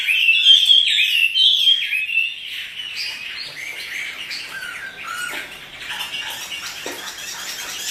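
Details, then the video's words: Caged Chinese hwamei singing energetically while dancing, a loud run of rich, varied whistled phrases at first, then softer, lower warbling notes continuing to the end. "Burung wambi (hwamei) gacor menari"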